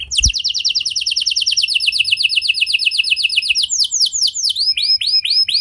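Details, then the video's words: Canary singing a lure song to prompt other canaries to join in: a long, fast trill of identical high notes, about four per second, sliding into slower, falling whistled phrases. "Pancingan Suara Burung Kenari Lagu Unik! Buat Kenari Mana Saja Pasti Ikut Bunyi"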